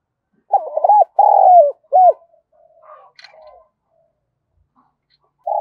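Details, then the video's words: Spotted dove calling, used to stimulate other doves to call quickly: a few low hollow coos, the middle one longer, then softer faint notes and a final coo after a pause, in an otherwise silent background. "tieng cu gay kich boi nhanh noi, cu gáy gọi"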